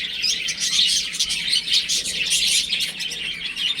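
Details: Chicks playing at home, producing a steady wash of high, twittering peeps, several birds calling together without a break.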